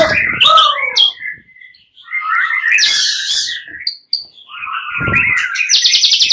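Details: Caged fighter white-rumped shama males answering each other, agitated; bursts of rich warbled whistles and harsh buzzy rasps separated by short pauses, with a low thud near the end.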